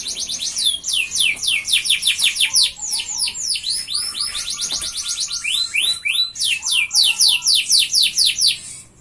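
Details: A gacor F1 canary sings to lure and tutor other canaries. It gives long, steady rolls of bright, down-slurred high notes at about four per second, with short pauses and changes of phrase. Faint low warbles sound underneath.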